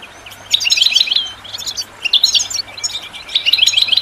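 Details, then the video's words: Goldfinch song used for training birds, given in short bursts of bright, jingling twitters and quick repeated tinkling notes, separated by brief pauses. "The finest goldfinch chirps and songs for listening and training birds"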